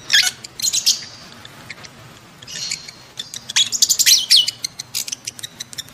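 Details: Lovebird calls in breeding condition, used to stimulate adult lovebirds to mate: dense bursts of shrill, high chattering chirps and scratchy squeaks in rapid clusters, with a steady background hiss.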